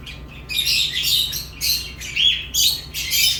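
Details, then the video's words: Lovebird chirps in quick succession, rasping and shrill, with bright squeaky notes layered over a grating buzz, arriving in bursts roughly every half second over a faint low hum. "Love birds chirping sounds"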